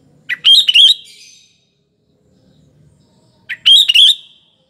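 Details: Sooty-headed bulbul, lively lure bird for morning, afternoon and night, giving two quick bursts of bubbly, slurred whistled notes about three seconds apart, with soft background murmur between them.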